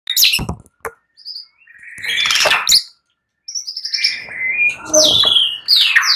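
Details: White-rumped shama singing at night: sharp clicks and rattles, then loud buzzy bursts and bright rising and falling whistles, with short silent gaps between phrases.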